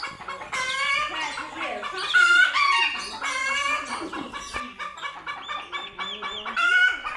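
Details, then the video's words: Scared domestic chickens screaming loudly and flapping in panic on first seeing cats: harsh, overlapping squawks with strong harmonic stacks, rising and falling, several birds calling over each other almost continuously. "Scared Chickens Scream Loudly After Seeing Cats for the First Time!"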